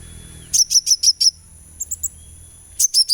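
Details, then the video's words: Sunbird song played as a therapy recording to get a kept bird singing: a quick burst of five sharp, very high chirps, a short pause, three thinner higher notes, then another fast trio of bright chirps, over a faint steady high whine. "suara terapi kolibri supaya gacor"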